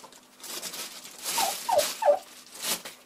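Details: Bronze turkey hen, broody and frustrated, in February: three quick, loud, downward-sliding yelps in a row amid soft background hiss and rustling.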